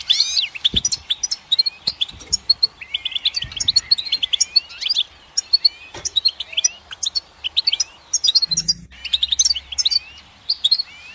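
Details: Dense, continuous goldfinch song of rapid high twitters, buzzy trills and swooping whistles, with occasional faint low knocks beneath.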